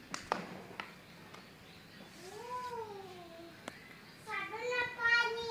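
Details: A tame pet Javan myna named Kopiko, said to be able to talk, gives two drawn-out, nasal, meow-like calls, one falling and arched and one rising and wavering, after sharp clicks, with faint human speech.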